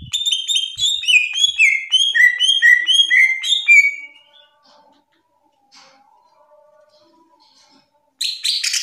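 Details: Lively greater green leafbird song, used to tutor and calm young leafbirds: about four seconds of quick descending whistled phrases repeated in a string, a quiet pause, then a fresh high burst.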